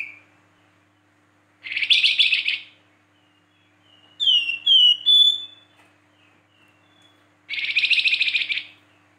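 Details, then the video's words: Flamboyan song made of whistles, 'tembakan' shots and rough notes: two dense buzzy chattering bursts framing a run of sharp descending whistled slurs, with short silent gaps between phrases. "PANCINGAN BURUNG FLAMBOYAN GACOR"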